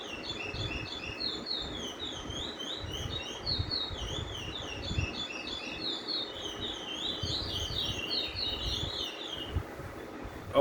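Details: A Lesser Seed Finch sings the Brazilian curio roll, 'paragrande': a long, continuous, repetitive roll of sweet warbled phrases between high and very high pitch, barely pausing for ten seconds over a low background rumble.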